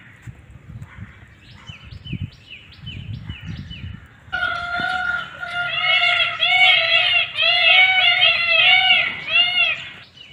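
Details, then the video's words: Indian peafowl calling outdoors in nature: after a quieter stretch of faint chirps, a loud run of short, arched, strongly harmonic nasal notes repeats rapidly for about six seconds. "Som do Pavão"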